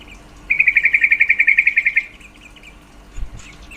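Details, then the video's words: Female yellow-vented bulbul call that stirs males' mating drive: a fast, even chattering trill of about fifteen bright notes over one and a half seconds, followed by faint scattered chirps. "Suara panggilan trucuk betina sangat efektif mendongkrak birahi trucuk jantan"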